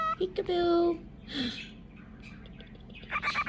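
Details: Cockatiel kept as a pet, playing peekaboo indoors: short chirps, then a sustained whistled tone, a breathy sound, and a pair of higher whistles at the end.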